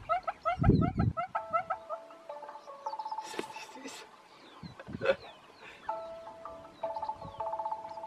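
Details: Red-billed hornbill; display call; display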